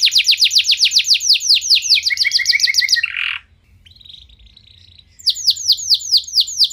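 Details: Canary singing as a trigger for other canaries: a fast series of falling whistled notes, a short low stuttering run, a brief harsh burst, a quiet thin tone, then the falling notes return.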